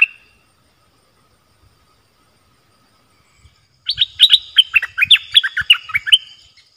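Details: Stripe-throated bulbuls calling back and forth on 1 April 2021, wild birds staying up, possibly with chicks in a nest: one brief note, then nearly three seconds of continuous chattering, bubbly slurred whistles over soft low thuds.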